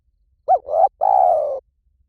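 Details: Low cooing from a spotted dove: a quick rising-falling note runs into a soft coo, then after a short pause a long, steady, rough-textured coo that fades slightly. Nothing else audible.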